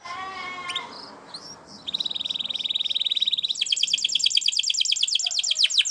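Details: Spanish Timbrado canary singing for training: soft opening phrases over faint background noise, then a metallic rolling trill building into a loud, dense run of rapid repeated notes.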